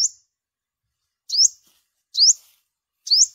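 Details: Yellow-bellied olive-backed sunbird recording for luring birds during migration: three thin, piercing upslurred notes sweeping upward, each roughly a second apart after an opening chip, against a silent background.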